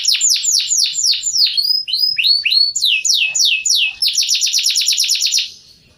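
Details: Canary with a white crest singing inside a hamster cage: a string of falling notes of changing speed, then a quick, even high trill that fades out at the end.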